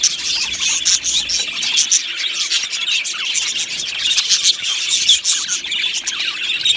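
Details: Australian budgerigars in an aviary colony, singing and chirping: a dense, continuous warbling chatter of many birds, with rapid squeaky notes and sharp clicks overlapping throughout.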